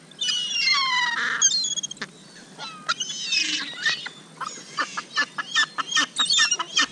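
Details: Gulls at Hovindammen pond being fed minced chicken meat; a burst of loud, harmonic, laughing squeals and yelps from several birds, then short clipped calls repeated quickly and irregularly.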